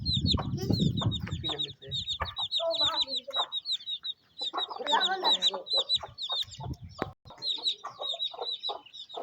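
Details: Mother hen and her cute chicks feeding during rain in a Pakistani village; bright repeated peeps from the chicks, bursts of clucking from the hen, and a low rustling thud at the start.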